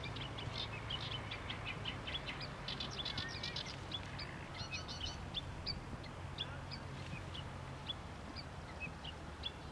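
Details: A Japanese Bush Warbler (Horornis diphone) on a suburban riverbank near a park and road gives its tani-watari (valley-crossing) call, a fast run of sharp, repeated high notes in bursts, over a steady low traffic rumble, then flies off.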